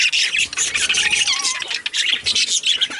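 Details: Male budgerigars giving busy, scratchy warbling chatter with sharp squawks layered throughout, loud and almost unbroken.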